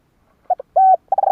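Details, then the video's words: Trapping lure call of a spotted dove: two quick soft notes, a sustained flat coo, then the start of a fast stuttering coo cut short at the end. "Chim cu gáy kích bổi nhanh nổi / Tiếng chim cu kích bổi hiệu quả"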